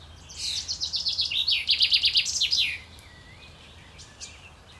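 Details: Male common chaffinch singing in courtship, recorded 28 May 2024. A bright, fast series of repeated chirping notes runs for about two and a half seconds. It grows louder and ends in a quick, slurred flourish, followed by faint thin calls.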